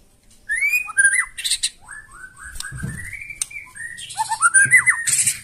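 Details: Loud, harsh song of a white-rumped shama, used to provoke other birds into replying; varied whistled slurs and rising notes mixed with buzzy high bursts, some low thumps in the background.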